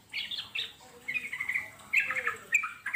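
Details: Wild Yellow-vented Bulbul giving brief chattering phrases of slurred, warbling notes, separated by short pauses, with a faint lower whistle in the background.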